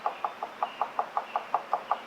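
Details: A male pileated woodpecker taps communicatively from inside a nearly finished nest cavity in a cottonwood as the female lands nearby. The tapping is faster and louder than excavation, about five hollow knocks a second, a dozen in all. Montana riverside forest, late April, windy spring afternoon.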